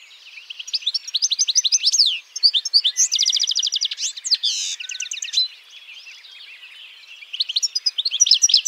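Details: European goldfinch song: high, liquid twittering in quick runs of rising and falling notes, with buzzy rattling trills in the middle and a short pause before the twitters resume.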